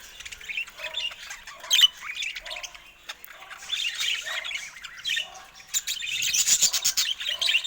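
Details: Caged budgerigars giving busy, scratchy chatter with sharp squawks and quick chirps, some bursts louder around the second and final seconds, heard indoors in a cage while the birds peck at a camera.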